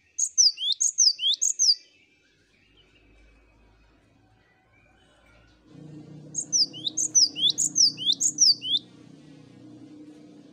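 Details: Group of cinereous tits singing on a master recording meant to prompt song: two bursts of rapid, repeated high whistled phrases separated by a quiet gap, with a steady low droning background during the second burst.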